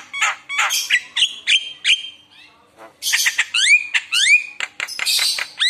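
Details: Javan myna full song for luring other mynas: bursts of harsh chatter and squeaky notes, a brief lull, then loud upward-sweeping whistles mixed with noisy squawks.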